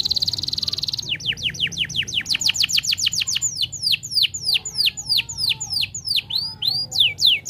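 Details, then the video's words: Canary song used as a master recording to get other canaries singing: a long, fast series of repeated downward-sweeping whistled notes, about three per second, opening with a brief buzzy trill and shifting through varied rolling phrases. "Kenari Macet Langsung Ikut Gacor l Masteran Kenari Gacor Bikin Gacor"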